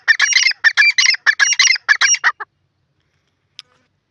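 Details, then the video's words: Francolin, locally called Sindhi teetar: a loud, harsh chattering burst of about a dozen rapid, rasping notes packed into two and a half seconds, then silence apart from one faint click. "pheasant teeter ki lovely awaz sindhi teetar ki masti"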